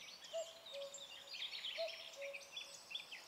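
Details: Common cuckoo, the first of the year, calls from high in a tree directly overhead in Alblasserbos woodland, Netherlands, in the morning: low, falling two-note "cu-koo" about every one and a half seconds over a busy chorus of songbirds including blackcap and blackbird.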